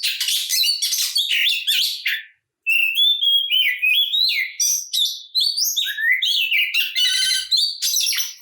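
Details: Fighting song of the Oriental magpie-robin, meant to enrage other kacer: rapid bright whistles and chatter, a short silence, then stepped whistled notes and a fast buzzy trill.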